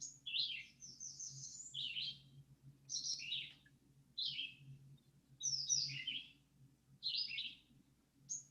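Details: Red-eyed Vireo (Vireo olivaceus) typical song: short, sweet, fairly high, slurred phrases that rise and fall, each separated by a brief pause, about one a second, with some variation; a low hum underneath.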